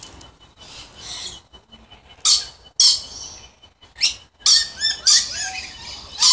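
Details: Pure-subspecies Moluccan red lories uttering short harsh screeches in bursts separated by quieter gaps, with a few squeaky whistled notes near the end.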